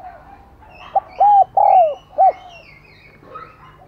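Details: Decoy spotted dove calling to draw in other doves; a soft introductory note then three hollow coos, the second longest and falling at its end, with faint chirps of other birds in the background.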